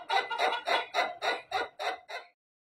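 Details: A white rooster gives a very long crow, here ending in seven loud, harsh, evenly spaced pulses over about two seconds before stopping abruptly; a person laughs just before.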